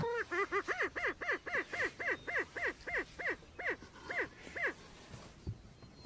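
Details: Wild greater prairie chicken in Iowa calling in a fast, steady run of short harsh cackles, each note arched in pitch, slowing slightly before stopping, with a faint thump at the end.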